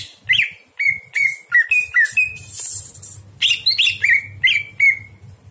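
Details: Greater green leafbird song at night serving as a tutor for other birds: a series of short whistled notes sliding upward and then level, a harsh burst, then more quick whistles, with low hum.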